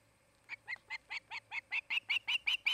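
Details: Osprey pair nesting near Charlo, Montana: after a brief quiet, a series of about a dozen piercing whistled chirps, roughly five per second, growing louder and higher toward the end.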